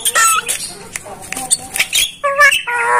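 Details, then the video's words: Starling masteran training song: scratchy chatter and squeaks, then a couple of harsh, nasal, bleating notes at the end. "masteran jalak paling di cari saat ini"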